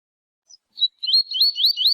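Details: Double-collared seedeater (Sporophila caerulescens), a training recording with a male singing and a female calling to excite other males: a rapid run of high, sweet, warbled notes after two brief chips, rising and falling quickly.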